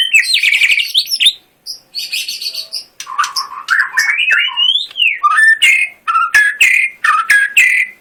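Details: Caged white-rumped shama, a competition songbird, singing a loud, varied song: buzzy high chatters, then rich whistled phrases sliding up and down, with sharp clicking notes between.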